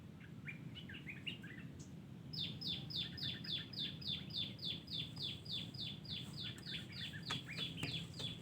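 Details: Wild terucuk (yellow-vented bulbul) in a garden: a few soft chattering notes give way to a steady run of about seventeen sharp, downslurred whistled notes, roughly three each second, over low background hum.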